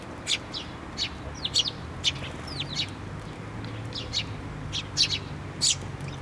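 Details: Sparrows crowding a post feeder at a Tenmangu shrine, 24 June 2023, mix clipped chirps with a few downward-slurred notes in loose, uneven chatter over faint low-pitched background noise.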